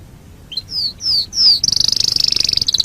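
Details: Canary song used as a master recording for training other birds: a few clear whistled downslurred notes, then a fast, even buzzy trill held high.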